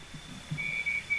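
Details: Night parrot (Pezoporus occidentalis), a nocturnal ground bird of spinifex grass, gives a thin, high, bell-like whistle at night in remote outback Australia, held on one pitch and broken into short pieces over about half a second above a faint hiss; recorded with a parabolic microphone.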